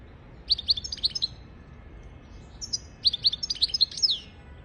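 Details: European goldfinch singing, offered as a model song for goldfinches and canaries to learn: a quick series of bright twittering notes, a pause, then a thin whistle and another chattering phrase ending in a descending slur.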